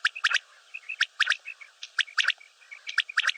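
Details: Common quail (batair) calling: sharp, clipped triple-note phrases of bright broadband pips, each burst of three given about once a second, with soft high chirps between the phrases.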